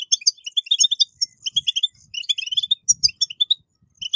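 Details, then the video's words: Goldfinch song of the 'betbetat' style, played to get captive goldfinches singing: dense, fast chatter of sharp tinkling chirps, energetic and nearly unbroken, with faint low rumbling in the background. "اقوى البتبتات لتحفيز الحسون على التغريد"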